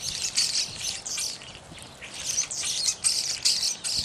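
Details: Evening grosbeaks calling: a busy run of loud, high, burry chirps in dense bursts, coming every half second or so with brief gaps, several notes overlapping as though from more than one bird, over faint low background rumble.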